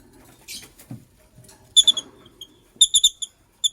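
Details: White lovebirds, a matched pair, chirping in the morning; sharp high tonal chirps in two quick clusters, three to five notes each, with soft rustling and shuffling beforehand.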